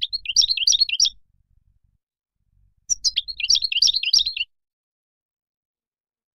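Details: Moroccan European goldfinch singing two brief, liquid phrases of quick rising and falling chirps, separated by a quiet stretch, with a single high note at the very end.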